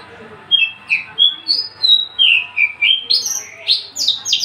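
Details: Unringed, tame Javan bush lark in a cage, a breeding-ready male, sings a rapid series of slurred whistles rising and falling, quickening into dense, rattling high trills at the end.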